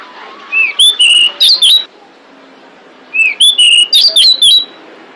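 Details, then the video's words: Female pied bushchat calling to attract males, used as a lure. Two phrases, each starting with a rising whistle and followed by four or five quick sweeping whistled notes, about two and a half seconds apart. "Suara Decu Betina Pemikat Jantan"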